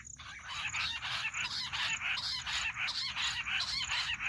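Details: Jungle bush quail sound for quail hunting: a loud, continuous, scratchy chorus of fast repeated notes, several per second, pulsing steadily throughout over a thin constant high hum.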